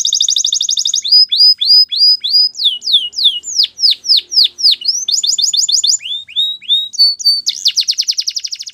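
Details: Belgian canary song for training: a bright rapid trill, then a run of clear whistled notes swooping up and down, another fast trill and a final loud rolling tour. Loud and clean with no other sounds.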